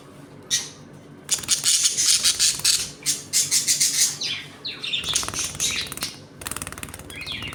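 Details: Home colony of budgerigars playing and squabbling, a dense stretch of harsh, buzzy squawks and rapid scratchy chatter, with a few falling chirps toward the end.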